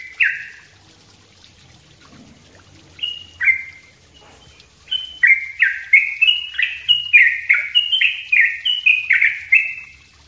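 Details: Sooty-headed bulbul, sung as a lesson for other birds: after quiet opening notes, a long rapid stream of ringing whistles, each sliding downward, about three per second and growing denser toward the end.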